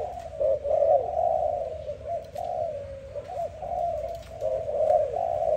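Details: A dove in the morning gives soft, low, continuous cooing, with throaty rolling phrases that swell and fade every second or so, and nothing else stands out.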